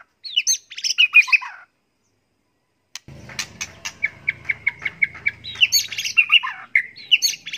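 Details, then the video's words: White-rumped shama kept for contests and used as a tutor recording, its song full of learned fill-ins: a burst of tangled high notes, a pause, then a run of evenly repeated sharp chips with faint low rumble behind. "MASTERAN MURAI BATU SI QOLBY LOMBA ISIAN SEKEBUN"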